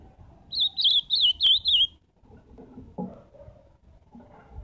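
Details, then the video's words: Azulão, the ultramarine grosbeak, sings live a brisk phrase of five or six looping whistled notes over about one and a half seconds, followed by quiet low background sounds. "Canto do azulão ao vivo!"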